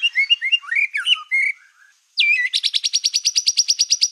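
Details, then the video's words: Black-tailed white-rumped shama singing as a lure to provoke other shamas: clear varied whistles and slurred notes, a short pause, then a fast run of about twenty sharp, evenly repeated high notes. "PANCINGAN MURAI BATU EKOR HITAM GACOR, SEKALI DENGAR AMPUH BIKIN MURAI APAPUN LANGSUNG EMOSI"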